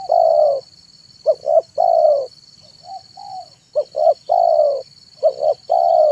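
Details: Tekukur, or zebra dove, singing in the afternoon to attract wild doves: two quick coos and a long trilled coo, repeated, with one softer muted phrase midway; faint constant high hum.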